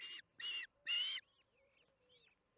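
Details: Osprey at the Charlo nest during the second evening feeding, June 21, 2019, 8:15 pm MDT, via nest cam: three loud, buzzy whistled notes, rising in strength, followed by faint twittering of other birds.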